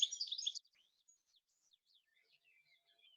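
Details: European goldfinch song within a dawn chorus: a dense, tinkling burst of high twittering with a telltale trill, likened to lasers firing in all directions, then scattered thin, high, zippy notes sliding up and down.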